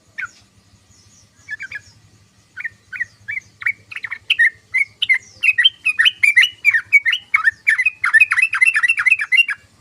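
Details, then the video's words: Yellow-vented bulbul chattering song: a few scattered notes at first, then a fast, excited run of short down-slurred chirps repeated several times a second, with thin high ticks above, building in loudness. "SUARA BURUNG TRUCUKAN❗❗❗TRUCUKAN NGOCEH❗❗❗TRUCUKAN NGERIWIK❗❗❗"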